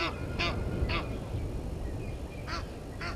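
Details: Egyptian geese at Gowrie dam waterhole, Djuma Game Reserve, Sabi Sand, South Africa, in a dispute with intruder geese, 17:08 on 10/04/21, fixed live camera: a few spaced harsh honks over steady low background rumble.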